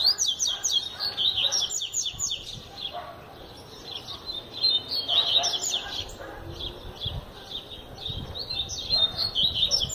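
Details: Double-collared seedeater (coleiro) singing steadily, said to sing all year: fast bursts of high, thin twittering and buzzy notes in repeated phrases, a short quieter pause near the middle, with faint low background rumble.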